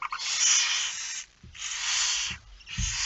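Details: Barn owl at the nest during a night feeding on 10 September 2019 at 22:45, giving long, harsh, broadband hissing screeches lasting about a second each, separated by short gaps, with faint low knocks beneath.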